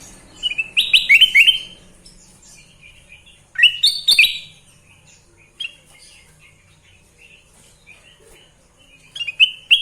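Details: Sooty-headed bulbul (kutilang emas) singing energetically: bright chirpy phrases near the start, then a loud, rising, burry burst around four seconds, with scattered short tweets and a final chirping flurry.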